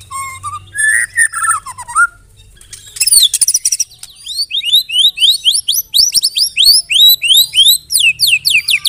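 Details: White-rumped shama using canary and cililin imitations: opening whistled phrases, a harsh high burst, then a long fast run of repeated upswept chirps, several per second.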